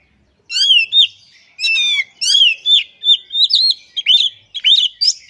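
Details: Oriental magpie-robin in energetic full song, showing off its mimicked phrases: a rapid string of bright, sweeping whistles and sharp chirps, each note rising then falling, delivered almost without pause.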